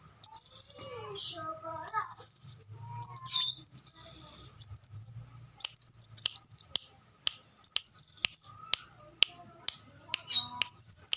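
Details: Van Hasselt's sunbird song of bright, very high twittered bursts, each a quick run of thin sweeping notes. The bursts come about every second, broken by sharp clicks and a soft low rumble.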